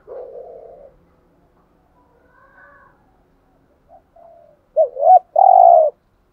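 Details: Spotted dove decoy cooing in the thúc gù manner. A soft, wavering coo comes first and faint higher coos follow, then a clear double hooked note and a long, even, buzzy coo close the phrase.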